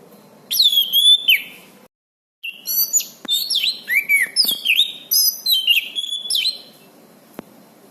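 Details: Orange-banded thrush singing vigorously, recorded as a master for tutoring birds and as therapy for silent ones. A rich run of varied phrases: sweeping whistles, buzzy trills and sharp chirps follow each other after a brief pause near the start.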